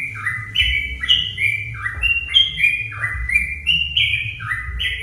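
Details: Sooty-headed bulbul singing, a lure for stirring rival bulbuls into song: rapid chains of clear whistled notes bouncing between higher and lower pitches, steady and unbroken, over a soft low drone.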